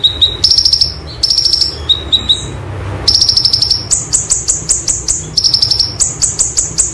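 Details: Rolling "roll tembak" song of a cagebird white-eye from a training recording, with high trilled bursts, a short pause near the middle, then long runs of quick sharp chirps repeated several times a second.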